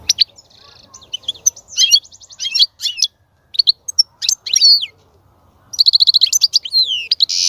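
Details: Song of a European goldfinch, used to encourage a female to mate and breed, with varied liquid twitters, quick trills and rasping buzzy notes in irregular phrases, ending in a rapid tinkling run and a buzz.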